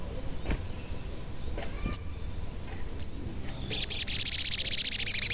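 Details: Sogon song used as a lure to make other sogon sing and provoke wild birds: a few faint high clicks, then a fast, dense, high-pitched rattling trill for the last second and a half.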